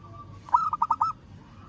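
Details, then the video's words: A single burst from a local zebra dove calling to a rival. Five rapid, mellow coos tumble out in under a second, preceded by a faint steady tone and set against low rumbling noise. "Perkutut Lokal Suara Memanggil Lawan"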